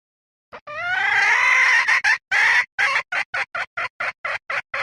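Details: Cackling hen: a loud drawn-out nasal squawk lasting well over a second, a pair of abrupt notes, then a long steady series of short clipped clucks about twice a second.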